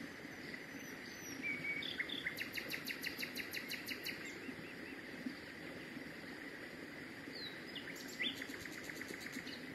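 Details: Common nightingale on Mt. Varnous, Greece, 19 May 2018: a short whistle, then a rapid series of about ten sharp clicking notes, a later brief burst, over a steady hiss of background noise.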